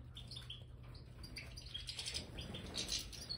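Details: European goldfinches of the Major type, kept in an aviary with new bird sand, utter rapid thin twittering notes and clipped chirps, mixed with fluttering and scratching sounds.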